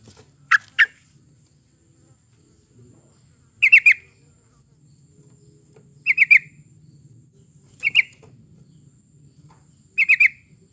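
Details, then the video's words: Yellow-vented bulbul song used as a lure to prompt other birds to sing: short bubbly phrases of three or four quick chirpy notes, repeated about every two to three seconds, with a faint low hum between phrases. "kicau burung trucukan"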